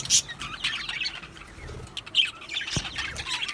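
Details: Two male budgerigars give scattered sharp squeaks and short chirps with gaps between, softer chatter in between, and a brief low thump near the end.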